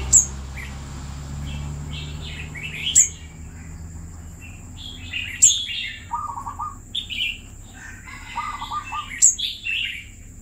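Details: Caged red-whiskered bulbul, kept for two years, sings short bright chirpy phrases in bursts, with some lower rounded notes mid-clip. A steady high whine, sharp clicks about every three seconds and a low background hum run throughout.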